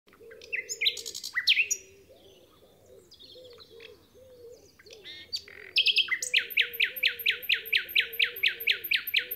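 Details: Nightingale singing on Alners Gorse: bursts of high sharp notes, then a loud rapid series of identical piping notes repeated many times a second. A low wavering warble runs underneath throughout.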